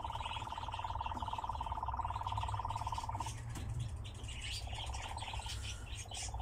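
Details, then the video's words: Nightjar kept in captivity, singing during its dance: a long rapid-pulsed churring trill breaks off after about three seconds and returns in short bursts, with scattered high bird chirps behind. "Пение и танец козодоя"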